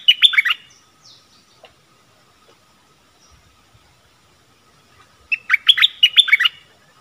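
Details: Stripe-throated bulbul song recorded on 1 April 2021. Wild birds answer a caged bird; they approach but do not come down, likely because they have chicks in a nest. Two bursts of quick, bubbly whistled notes, one opening and one near the end, separated by near silence.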